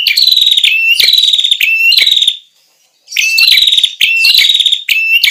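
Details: Ashy tailorbird lure-sound song (prenjak kepala merah). There are three loud, high, buzzy phrases, each led by a rising whistle, then a second of silence, then four more phrases in the same rhythm.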